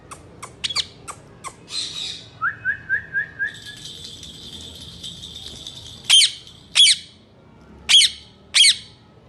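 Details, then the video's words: Male Indian ringneck parakeet kept as a talking pet: rapid clicks, then a short row of rising chirped notes, then four loud, harsh screeches spaced about a second apart. "Best talking male parrots"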